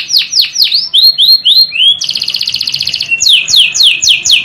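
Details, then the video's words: Canary song played to teach canaries: descending whistled notes, upslurred whistles, a fast pulsing rattle, then more loud descending whistles. "KANARYA SESİ EĞİTİM ÖTÜŞÜ CANARY VOICE!!!"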